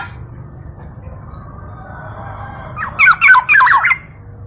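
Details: A local Black-naped oriole from East Java, a bird with many melodious variations, gives a short series of harsh, chattering, bent notes in quick clusters of about a second, over a faint steady hum.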